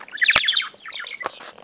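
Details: A pet budgerigar, agitated and overexcited while playing with a toy, gives a quick run of high, scratchy chirps and warbles, with a sharp click and a few softer chatters after.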